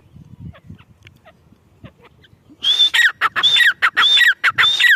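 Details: Grey francolin: faint scattered ticks, then a loud call bursts in, with strident repeated phrases each starting on a high whistled note and dropping into a raspy ending, given four times in steady rhythm.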